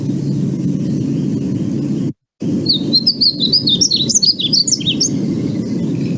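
A Painted Bunting sings a sweet, light, high warble of quick run-together notes for about two and a half seconds, over a steady low rumble.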